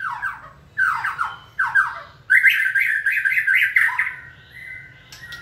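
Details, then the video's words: White-rumped shama in training, stimulated by human cues to sing: descending slurred phrases repeated three times, then a rapid rising-falling trill series and a sustained whistled note, indoors. "Kỹ thuật kích thích lửa cho chim hót (shama bird)"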